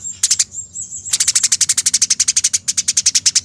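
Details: Fighting Eurasian tree sparrow on a bird-training master recording: a few sharp chirps, then a long unbroken run of fast, dense, scratchy notes, with a thin constant high tone behind.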